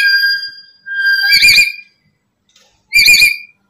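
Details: Black-capped lory used to lure other lories: a clear drawn-out whistle sliding down, followed by two short, loud, harsh squawks with a gap between them.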